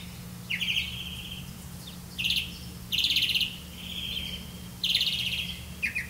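Grey-capped greenfinch giving buzzy, trilled notes in short bursts roughly every second, fairly high-pitched, over a steady low hum.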